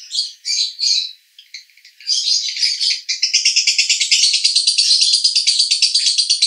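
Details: Male lovebird, Cibinong, Bogor, in konslet 'roda gila' song: a few separate high chirps, then a continuous machine-like chatter of rapid buzzy pulses, about three per second, running steadily to the end.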